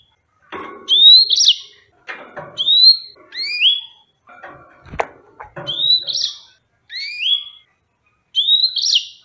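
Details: Yellow-fronted canary giving a run of short rising whistled slurs, some ending in a sharp upward flick. Phrases come in quick pairs between scattered clicks and rustles, with one sharp snap midway.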